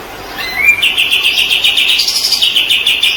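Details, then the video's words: White-rumped shama (murai batu) in a training recording for teaching other songbirds. A short rising lead-in note gives way to a long, fast string of sharp, clipped notes at one steady high pitch, briefly jumping higher midway. "Masteran burung murai batu paling di cari"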